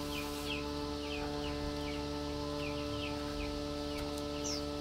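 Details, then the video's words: Chinese hwamei female, fed mealworms, calls to the male in rapid, irregular bursts of short falling chirps, nearly three per second, ending with a higher sharp note; steady electrical hum underneath. "Tiểu mi mái chép gọi trống khi cho ăn sâu gạo"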